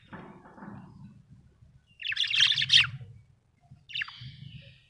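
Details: Budgerigar, said to be happy, chirping: a loud chattering burst of high buzzy notes mid-clip, then a short descending whistle, over steady low background rumble.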